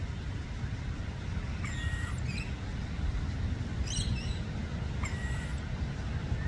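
A rainbow lorikeet gives three brief, shrill screeching calls a second or so apart, over a steady low rumble of wind or distant traffic.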